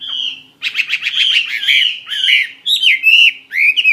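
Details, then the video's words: Chinese hwamei kept in a cage as a fighting bird, delivering a loud, varied song. A clear sustained whistle is followed by rapid buzzy trills and swooping, slurred whistled phrases, with brief pauses between bursts. "Họa Mi chiến 21"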